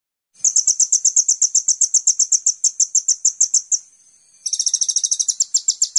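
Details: Van Hasselt's sunbird (kolibri ninja), a 'gacor' master lure recording for training songbirds: very high, rapid series of sharp chirps repeated about four per second, a brief pause, then a faster, denser buzzy trill.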